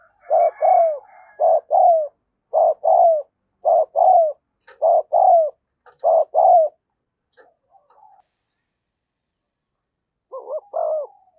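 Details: Decoy spotted dove calling in wild birds with a steady series of loud doubled coos, each pair a second or so apart, a short pause, then one more pair.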